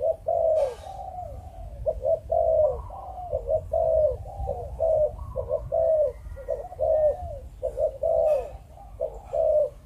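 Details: 'Chụp Chụp Ô' cooing from a spotted dove of Malaysian breeding stock: a steady run of low, husky coos, short and long notes alternating almost without pause for ten seconds, with a faint higher chirp now and then.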